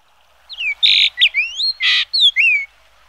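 A Yellow-billed Grosbeak gives clear, sweeping whistled notes, rising and falling, broken by two short harsh buzzy bursts over about two seconds.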